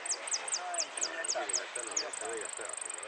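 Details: Competition goldfinch at Lanús, 'repique' style, repeats sharp high falling notes roughly every quarter second, then switches to a fast continuous trill, with people talking in the background.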